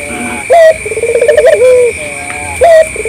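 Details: Collared dove (local puter) calling to lure other doves into replying. A short hooked note, then a rolling series of quick throbbing pulses that ends in a smooth, falling drawn coo, and another hooked note. Steady electronic whine in the background.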